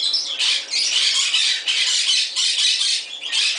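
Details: A Moluccan cockatoo kept as a shop pet at an avian store in Summerville, South Carolina, having fun: loud, harsh, raspy screeches in quick succession, about four broad bursts in under four seconds, with no other sounds.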